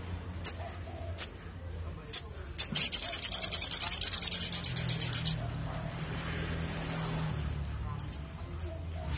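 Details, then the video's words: Scattered high chip notes, then a sunbird launches a quick, regular trill of piercing high notes lasting about two and a half seconds; afterward soft, thin calls sound faintly in the distance. "Sogok Ontong Gacor Ngleper Ngalas"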